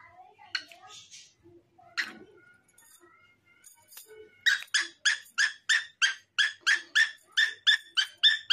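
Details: A cockatiel sings a few scattered whistles, then a fast run of bright, repeated chirping notes, about three or four a second, with a green parrot nearby.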